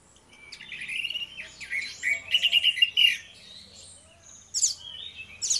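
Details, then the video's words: Orange-headed thrush singing in the morning, two birds: a series of sweet whistled phrases followed by a quiet gap and sharp high notes, with a faint low background hum. "DUO ANIS MERAH NGEPLONG GACOR, PANCINGAN ANIS MERAH BIAR BUNYI"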